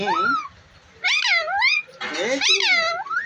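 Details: Talking pet ringneck parrot producing harmonic-rich, speech-like phrases with swooping, wavering pitch in three bursts separated by short pauses, close and indoors.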